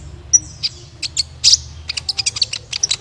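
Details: Sunbird twittering to encourage other birds to sing: a jumble of quick, very high chips and short buzzy notes, speeding into an uneven run, with a low background hum.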